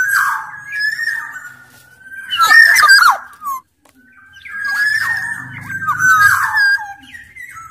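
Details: Black-naped oriole from Sumbawa, a larger-bodied local type, singing vigorously as a lure for quiet orioles. Fluty whistles slide near one pitch, broken by harsh, rasping bursts around the third second and again later.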